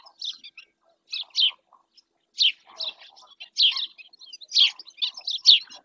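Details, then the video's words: Doñana National Park, Spain: a webcam picks up a black-winged stilt's sharp, piping kek notes, delivered in spaced pairs and triplets with clear silences between bursts, the loudest near the end. "Cigüeñuela en el P.N. de Doñana"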